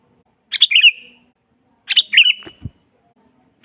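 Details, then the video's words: Vigorous sooty-headed bulbul song from a natural master recording for training birds: two full bubbly phrases with whistled tails about one and a half seconds apart, some knocking sounds after the second, and the start of a third. "suara burung kutilang GACOR asli"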